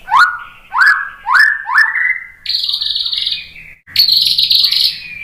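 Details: Lure song of a white-rumped shama, meant to rouse rival birds into replying: four rising upslurred whistles repeated about every half second, followed by two long harsh buzzy high phrases.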